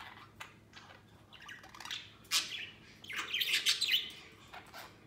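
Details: Budgies let out of their cage to play: soft scattered chirps, then a loud chirp and a brief, scratchy, rapidly warbled chatter near the end.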